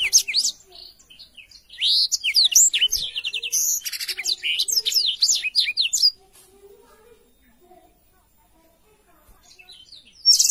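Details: Lively Black-throated canary song, recorded clearly to tutor young canaries. A quick chirping phrase opens, then a long run of tumbling high whistles and trills ends near six seconds. Near-silence follows before a final loud note.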